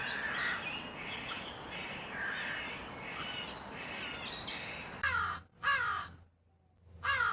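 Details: Thin chirping of small birds over a hiss of background noise, then a crow breaks in with two loud grating caws, a short pause, and one more caw.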